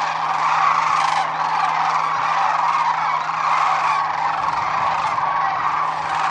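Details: Morning fly-off of thousands of wintering sandhill cranes at Whitewater Draw Wildlife Area, a little north of Bisbee, Arizona; loud, dense chorus of rattling, bugling calls swelling and dipping slightly, constant throughout, faint low hum below.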